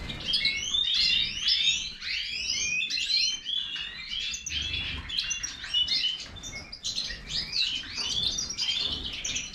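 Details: Goldfinch of the Major form singing a dense, fast twittering song of high chirps, rising and falling whistled notes and rapid trills, continuous with hardly a pause, with a low background hum.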